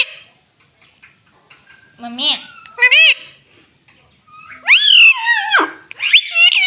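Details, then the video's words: Pet parrot said to say "Mummy" and "Mitthu": scattered soft ticks, then loud meow-like rising and falling harmonic phrases, the longest a drawn-out wavering syllable sliding downward near the end. "Talking Parrot Mitthu Mitthu 😘 Bolne Wala Tota 🥰 Mummy Mummy Bolne Wala Tota"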